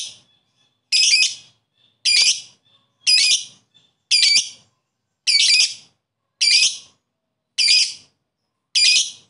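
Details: Lovebird calling out to a rival, meant to raise other lovebirds' excitement: loud harsh shrieking calls repeated about once a second, eight in a row, each a rough high squawk.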